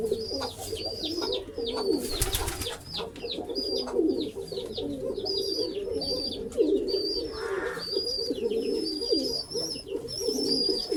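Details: Pigeons in a pigeon house: overlapping low, throaty cooing from several birds throughout, with short chirps, a brief burst of noise and steady high thin whistling tones above.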